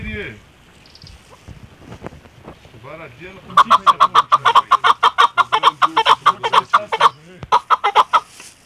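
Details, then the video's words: Female chukar partridge calling: after a few seconds of low voices, a fast run of harsh, clucking notes repeated about three per second for roughly five seconds, pausing briefly before a final burst. "keklik sesi chakor birds voice awaz sound"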